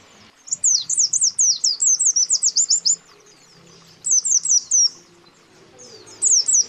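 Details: Lure calls of male and female white-eyes summoning a rival: a rapid train of about a dozen high falling chirps, followed by two shorter bursts after pauses.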